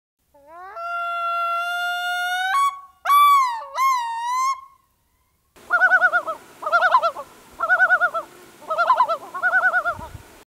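Yellow-billed Loon: a rising, drawn-out wailing yodel with looping notes, then five quick quavering tremolo bursts about a second apart; faint music underneath.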